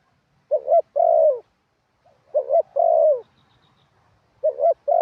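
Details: Spotted dove decoy bird on the ground, singing a wild-style song with ขัด and หนุน phrases: a short wavering double coo, then a longer, steady, falling coo. The pair repeats about every two seconds over near silence.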